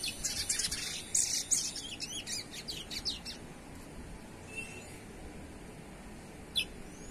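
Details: Young chestnut-bellied seed finch, adapted to its surroundings, keeps singing despite the noise around it as training season nears: a quick run of high, sharp chirped notes for about three seconds, then a lone later note over steady background hum.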